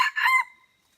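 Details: Ending of a red junglefowl crow at Mata Ie, Aceh, during decoy luring: two harsh bursts, then a drawn-out thin note that fades within half a second into silence.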